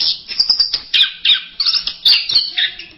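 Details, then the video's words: From a masteran set of orange-headed thrush songs, a busy sequence of high, sharp chirps and short squeaky notes delivered in quick bursts. "Berbagai kicau burung anis masteran."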